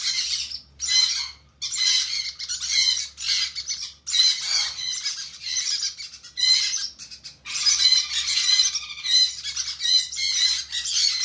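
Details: Hand-fed conure chicks give a long sequence of harsh, chattering squawks in rapid pulsed bursts, pausing briefly every few seconds before resuming.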